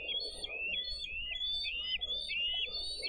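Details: Bald eagle nest in Dade County, 22 April 2023, with adults delivering fish and feeding two eaglets. A continuous series of loud, high, whistled notes, each sliding up then dropping, strung together without pause.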